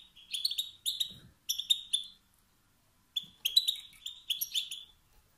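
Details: Male European goldfinch with calls that push rival males to sing; two groups of rapid, bright twittering bursts separated by about a second of silence.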